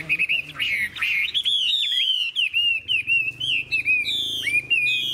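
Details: Wild-matured adult Chinese hwamei in sustained song, rich fluting whistles that swoop up and down in quick succession, with sharp clicks mixed between the phrases and a faint low hum behind.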